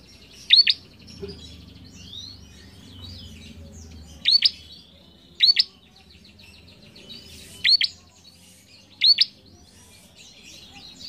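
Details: Lively bar-winged prinia song played to stimulate young cage birds: five loud doubled rising chips spaced about one to two seconds apart, with soft twittering and low hum behind.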